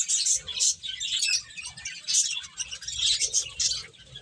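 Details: Finches at play give bright, high tweets in short bursts with clear whistled peaks, several birds overlapping over a faint low rumble.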